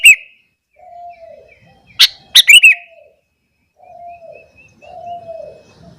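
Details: Sooty-headed bulbul heard in the morning, singing to provoke others of its kind: a sharp chip, then one quick rippling phrase, while doves coo softly and repeatedly in the background.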